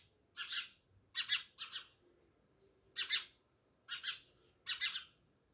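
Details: Near a village house in Jamnagar, house sparrows repeat loud, coarse chirps in pairs and singles, roughly one burst every second.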